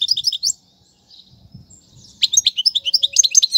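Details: Goldfinch song for chick tutoring: a few rising chirps, then near silence with faint low knocks, followed by a lively burst of quick, sharp, high twittering notes.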